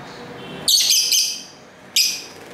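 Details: Lovebirds singing and talking to each other at home, recorded on a camera's internal mic: a burst of shrill, harsh chirps followed by one more sharp chirp, over faint street ambience.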